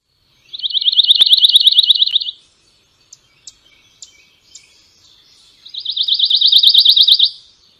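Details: A Pine Warbler in spring in the Chippewa Valley, where it nests in pines, sings two even, musical trills of rapid high notes, each about two seconds long, with a few faint chips in the pause between them.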